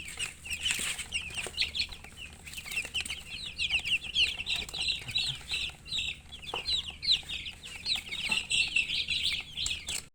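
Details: Chicks producing a continuous stream of shrill, quick chirps, many voices overlapping in wavering downslurred peeps with short lulls, plus occasional soft knocks.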